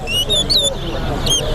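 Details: Towa-towa at a bird singing competition at Better Hope Bird Ground, giving short, clear whistled notes, slightly rising then falling, about four in under two seconds, while a man counts aloud nearby.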